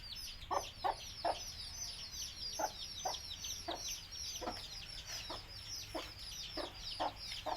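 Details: A mother hen of a native Tamil chicken breed calls her chicks to feed: crowded high, falling chick peeps fill the background while her deeper clucks come in irregular bursts.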